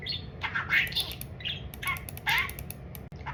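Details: Food-obsessed talking budgerigar delivering raspy warbled babble with a few whistled upslurs, pausing between bursts over a steady low hum.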